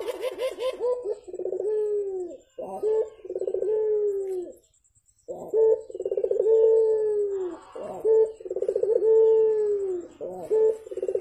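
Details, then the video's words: Vigorous morning cooing by a Javan turtle dove (burung puter): repeated phrases of stuttering pulses that run into long, low, slightly falling notes, with a brief silent gap midway. "BURUNG PUTER GACOR , TEMAN NGOPI PAGI HARI BIKIN ADEM SUASANA"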